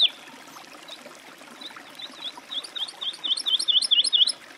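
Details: Woodlark song. Sparse, quiet piping notes grow into a rhythmic run of loud, fluty, swooping phrases repeated several times a second before ending sharply, over a steady hiss of background noise.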